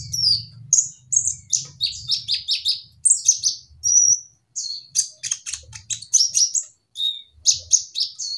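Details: Olive-backed sunbird in a flight aviary giving energetic bursts of sharp, high chirped notes and brief whistles in quick clusters, with intermittent low rumbling thuds.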